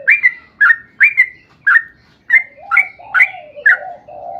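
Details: Sooty-headed bulbul song used as a lure to prompt other bulbuls to sing: short bubbly phrases repeated about twice a second, each with a sharp upper note and a lower warble, with a faint low hum below.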